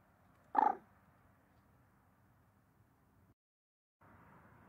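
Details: Common moorhen giving one quick harsh pulsed croak near the start, then faint low background noise with a short silent gap.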